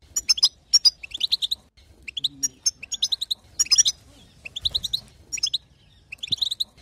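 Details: European goldfinch hen chattering, a call meant to make the male burst into song: quick high twittering phrases of sharp, liquid chirps separated by short silences, with a faint low murmur in the background.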